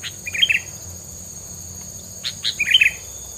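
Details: Bird song used as isian filler to keep rivals at a distance; two bright twittering phrases separated by sharp single chirps, with a persistent high insect hum throughout.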